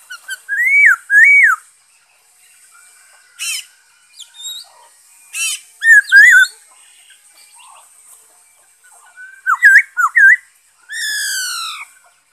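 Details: Black-throated laughingthrush song recorded 5 May 2021: paired looping whistles repeated several times, separated by sharp clicks, ending with a harsh buzzy rasp.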